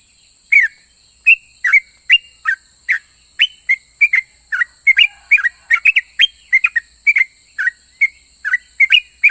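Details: Sooty-headed bulbul singing nonstop, its song described as drawing answers from other bulbuls: rapid bright whistled chirps, each note quickly bending up or down, packed into a lively nine-second stream with faint hiss behind.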